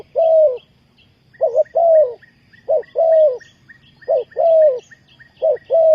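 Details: Dove calling as a decoy for luring wild doves to a trap: loud, mellow cooing notes, each slightly falling, given in irregular bursts of two or three, with faint high chirps from small birds and a low rumble beneath.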